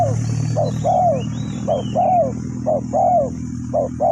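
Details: Spotted dove kept for luring wild doves into traps, Ninh Thuận: series of clipped and longer arched coos repeated about once a second, over a steady loud low engine-like drone and high insect hiss.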